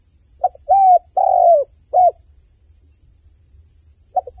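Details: One complete dove cry, a quick note leading into long hollow coos and a short final coo, followed by silence before the next phrase begins at the very end.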